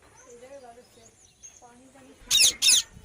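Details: Indian ringneck parakeet letting out two loud, grating screeches in quick succession after a stretch of soft, warbling background chatter.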